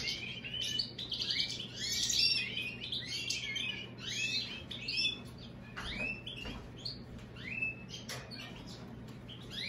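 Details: An American goldfinch x European greenfinch hybrid sings a fast, rambling twitter. Rising and falling whistles mix with buzzy chatters and a few sharp downslurred notes, and a soft low hum runs underneath.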